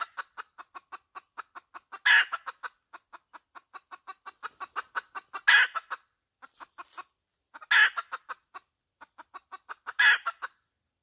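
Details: Steady, rapid clucking from a hen, punctuated by four loud, rough squawks spaced a few seconds apart; no other sounds intrude.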